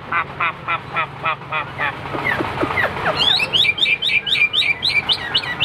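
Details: During a Hwamei contest display, a series of harsh, stacked chattering notes gives way to rapid, bright whistled slurs repeated several times a second.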